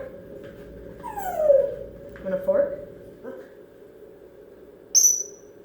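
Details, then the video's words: Pet female African grey parrot at home, excited and noisy after returning from a friend's house, giving a long falling whistle, a couple of lower squeaky notes, then a sharp high chirp over a steady indoor hum. "African Grey Parrot Talking"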